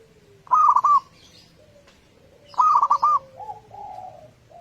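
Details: Clear-voiced local zebra dove song for luring other doves into song in the morning: two rapid phrases of about four rolling coo notes, the second followed by softer, lower, trailing coos.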